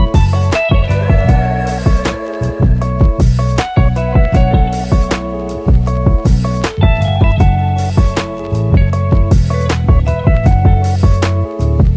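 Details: Loud plucked guitar music with steady rhythmic strums and bass notes throughout, with no animal voice heard.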